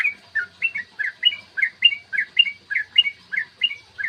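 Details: Yellow-vented bulbul singing a long rapid series used to make other birds sing and get aggressive: bright two-part whistled notes repeated regularly, nearly two per second, fairly even pitch, clean background.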